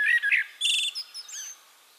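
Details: Eurasian blackbird singing in Castricum, the Netherlands: a short burst of warbled notes around the middle range, then a bright buzzy twitter and fading high squeaky trills.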